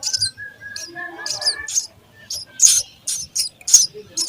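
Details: Sparrow babies at the nest during feeding make high, grating chirps that grow louder and faster toward the end. A thin, steady whistle is heard early on.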